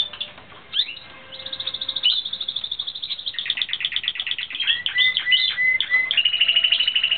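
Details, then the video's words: Training session of a Timbrado Espanhol canary, 2016, with continuous rapid trills of sharp high notes, some rising glides, and a final evenly pulsed whistled roll. "Timbrado Espanhol - 2016"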